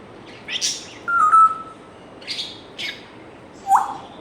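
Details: Pet African grey parrot indoors giving a varied string of sounds: a steady level whistle near the middle, short harsh squawky bursts before and after, and a brief rising whistle at the end.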